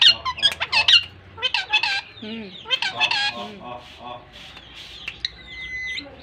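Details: Pair of caged Pakistan ringnecks (rose-ringed parakeets) interacting, Larkana, Sindh: loud harsh chirps and screechy notes in quick irregular bursts, some downslurred and some rising, fading to softer chatter with a thin steady whistle near the end.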